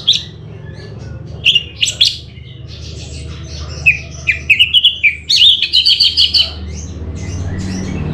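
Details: Orange-headed thrush from Bali, Indonesia, giving sharp sweeping whistles, then a fast series of short repeated chirping notes rising in pitch, about two per second, ending in a quick trilled run; low hum throughout.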